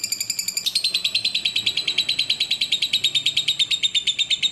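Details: Lovebird song from a clear bird-training recording: a brief high, tonal opening, then a fast stream of sharp, chattering notes repeating several times each second, slightly falling in pitch.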